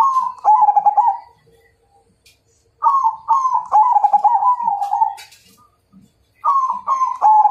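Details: Zebra dove of the Majapahit type calling to challenge a rival: bubbling, tremulous low coos in long phrases, a quiet gap, then more rolling coos with a few faint higher chirps.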